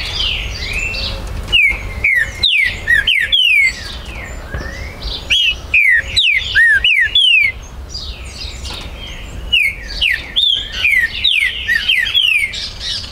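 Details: Green-winged saltator recorded 19 September 2020 at a Brazilian breeder's premises, a territorial bird whose song provokes rivals: repeated bursts of loud, clear whistled downslurred notes, each phrase a few seconds long, with other bird chatter between.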